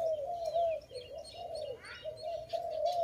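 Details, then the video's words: Dove during bird trapping, uttering a continuous run of soft wavering coos, with faint chirps of other small birds higher up. "Dove lovely- Video lovely dove so loudly, Sound of good dove"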